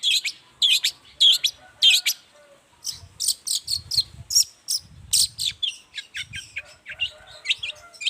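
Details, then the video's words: Long-tailed shrike singing in the morning as a lure for other shrikes to answer: sharp downslurred notes repeated, then a varied run of high whistles, chips and scratchy phrases, with faint low rumbling in the background. "toet toet Suara cendet gacor Pagi Hari pancingan jitu BIKIN cendet diam langsung nyaut ikutan bunyi"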